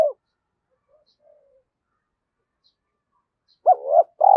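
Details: Decoy spotted dove calling to goad rivals into fighting; after a long near-silent gap, one soft mellow phrase of a hooked note and a sustained rolling coo.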